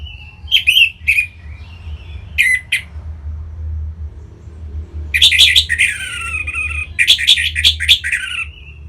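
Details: Punglor merah (orange-headed thrush) from North Bali, its singing played as a lure for other birds: scattered short bright phrases early, then a long rich sequence of loud rapid warbling and chattering with sustained tonal notes.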